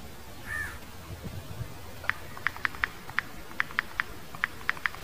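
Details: Barred antshrike filmed at close range: a rapid series of short sharp clicking or tapping notes, irregularly spaced, about a dozen within three seconds, after a brief curved whistled note.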